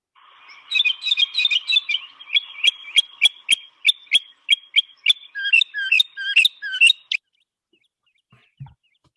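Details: Northern mockingbird, resident year-round on the Eno River, Durham, North Carolina, mimicking a northern cardinal: a quick warbled jumble, about a dozen sharp evenly spaced chips, then slurred downward whistles like a cardinal's song.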